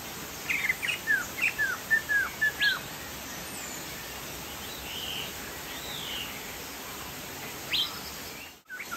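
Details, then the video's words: Chinese hwamei, poksay jambul from Sumatra, in energetic 'gacor' singing: about nine short down-slurred whistles given at a steady quick pace, then a pause and a single sharper note, with background hiss and a final knock. "POKSAY JAMBUL GACOR"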